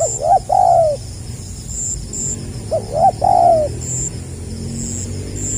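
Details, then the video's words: Spotted dove (tekukur) singing 'gagap rapat selang nguku', 2020: two phrases, each two short stuttered notes then a long, soft, downward-sliding coo, about three seconds apart, with faint high chirping continuing after. "SUARA BURUNG TEKUKUR GAGAP RAPAT SELANG NGUKU"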